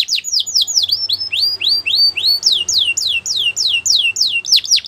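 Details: Gloster canary song of loud, clear slurred whistles repeated about three per second, each sweeping down, some doubled near the end.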